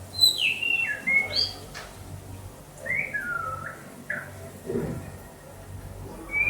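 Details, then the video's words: White-rumped shama in Banda Aceh singing a string of clear whistled phrases, some sliding downward around the middle pitch, with short gaps between bursts and low background hum. "Murai batu"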